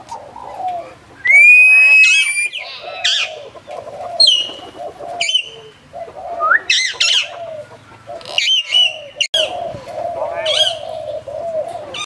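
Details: A captive hill myna at Phnom Tamao Zoo, Cambodia, that can speak gives a loud, varied run of shrill whistles, squawks and speech-like phrases, with a steady low cooing of doves underneath.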